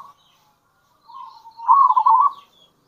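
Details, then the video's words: Local zebra dove with a kerot voice, cooing actively in bekur style as a lure for other zebra doves: a soft low murmur, then one loud rapid quavering trilled coo near the end, with faint high chirps from other birds. "Panggilan Perkutut Lokal !! Perkutut Lokal Kerot Gacor Dan Bekur Ampuh Untuk Pancingan Perkutut"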